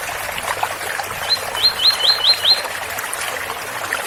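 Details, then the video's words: Double-collared seedeater giving the Ouro Fino tui-tui song beside trickling water; one short burst of about five rapid upswept whistled notes, the rest filled with steady water noise. "Tui Tui especial coleiro Ouro Fino com som de bica"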